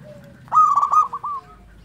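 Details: Local zebra dove giving a single loud, rolling trilled coo phrase under a second long. Faint lower cooing is heard before and after.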